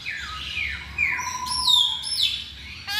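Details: Masked laughingthrush in a lure recording giving long, high, sliding whistles that fall and rise, overlapping in a busy, ringing stretch, ending with a sudden sharp note.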